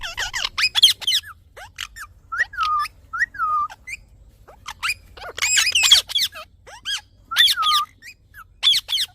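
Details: Green parrot giving sharp, squeaky squawks and rising-falling whistled calls in irregular bursts, some notes bent downward, with brief quiet gaps between runs of calls.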